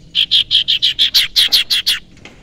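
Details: Rapid rhythmic chatter of about eleven harsh buzzy notes from a young wild common iora kept as a lure bird.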